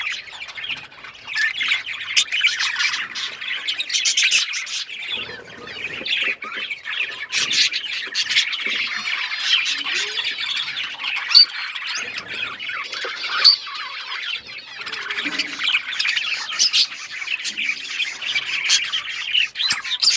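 Budgerigars chatter continuously with dense, scratchy chirps, warbles and squawks.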